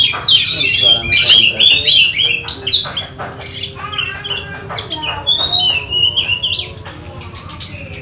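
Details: Oriental magpie-robin at home during a mental test before a songbird contest: rapid, varied high whistles and harsh chattering bursts, about four phrases a second, with faint low background hum.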